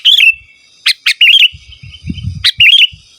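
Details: Sooty-headed bulbul song for calling wild birds and as a tutor: several bubbly whistled phrases with sharp opening notes, plus a short low rumble in the middle.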